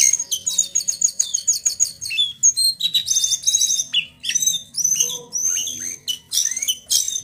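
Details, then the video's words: Young male brown jongkangan singing while learning its rolling, twittering and fluting song styles: a fast string of high, sharp chirps, rapid trills, and whistled notes that slide up and down, with a varied, chattering delivery. "Trotolan Jongkangan Coklat Jantan Gacor"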